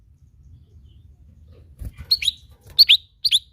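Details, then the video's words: Lesser green leafbird (cak ijo mini) uttering three short bursts of high, sharp, slurred chirps about half a second apart, after a stretch of near silence with low background rumble and a soft thud. "bunyi khas cak ijo mini"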